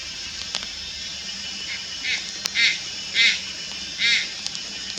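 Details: Young Malayan night heron calling at Lugu on 2022/08/04: a faint note then four harsh buzzy calls, each under half a second, spaced nearly a second apart, over dense insect hiss.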